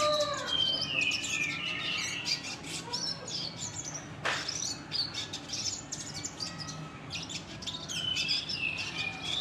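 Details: A red siskin gives a dense, rough chattering twitter, the klasik ngeriwik kasar style, with many high chirps and short slides nearly continuous throughout and a single sharp click midway.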